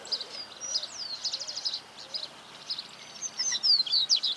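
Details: Song of the Double-collared seedeater, Sporophila caerulescens, from 2018: high, fast notes in quick trilled runs, some thin whistled slides, pausing briefly midway before a louder, sharper sequence of chips and upslurs.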